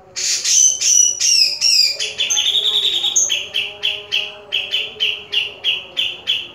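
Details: Grey-cheeked bulbul in a cage sings loud falling whistles, then shifts to a rapid chattering trill and a long series of evenly spaced clipped notes about twice a second, a faint hum underneath.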